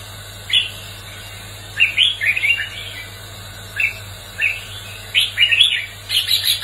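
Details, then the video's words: Red-whiskered bulbul giving short, bright, warbling fighting-song phrases in bursts about a second apart, rising and falling quickly, over a faint steady low hum. "Tiếng chào mào hót đấu kích bổi lên lửa"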